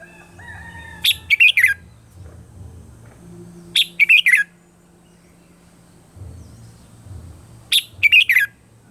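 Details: Red-whiskered bulbul singing its morning training song, meant as a decoy voice: three rapid phrases of clipped, bright chirps, spaced about three seconds apart, over a low steady hum.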